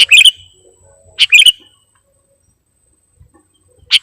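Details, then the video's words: Sooty-headed bulbul used as a lure bird, described as singing actively with a full repertoire of borrowed phrases: three short, bright chirping bursts of clustered notes, each under half a second, separated by silent gaps. "KUTILANG PIKAT || BURUNG LEGEND FULL ISIAN DAN GACOR"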